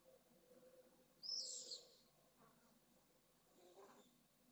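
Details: Pallid swift chick close to fledging in a nest at Jerez de la Frontera, Spain: one loud harsh, hissing high call lasting under a second, then faint scratchy sounds against a low steady hum.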